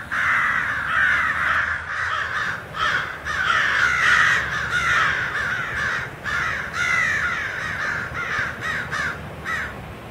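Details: A gathered flock of crows on 26 January 2012 calling together, with rough, grating caws stacked over one another in a near-continuous racket that swells and dips in loudness with brief gaps.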